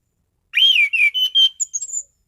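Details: Anis cendana, an orange-headed thrush, singing with loud, dense variation for contest reference. A rising and falling whistle leads into level piping notes. The phrase ends in very high, thin whistles.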